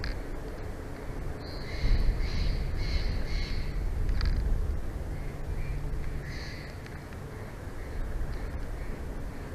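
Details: Bald eagle pair's nest in Big Bear Valley, on a live nature cam, 06/01/2024: a burst of four or five sharp, high piping notes, a short pause, then two more, against a constant low hum.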